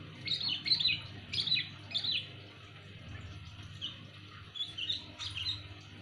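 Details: Loud luring call of a sooty-headed bulbul: several short, slurred chirpy phrases spaced unevenly over six seconds, somewhat distant with a noisy hum underneath.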